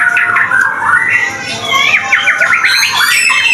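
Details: Vigorous White-rumped shama song used to coax other shamas into singing: clear whistled notes rising and falling, then a fast run of sharp, twittering, down-slurred phrases and trills, loud and continuous throughout.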